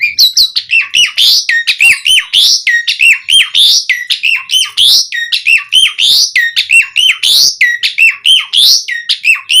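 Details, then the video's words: Asian pied starling in full, rich song for bird training: fast repeated looping whistled notes, rising and falling, delivered continuously with sharp clicks between phrases. "Suara Jalak Suren Gacor Melimpah Cocok Buat Pancingan & Masteran Burung Jalak Agar Gacor Full Isian"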